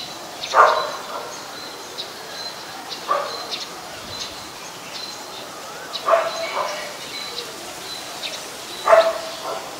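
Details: A Great (White-vented) Myna in Ubon Ratchathani, Thailand, on 14 December 2020 gives harsh, grating calls about every three seconds, with faint squeaky notes between them over a quiet background.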